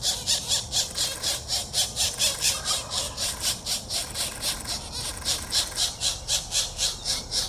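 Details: Pileated woodpecker chicks being fed by a parent at the nest on 21 April 2024 keep up a high, hissing, buzzy begging chorus, pulsing about four times a second without a break.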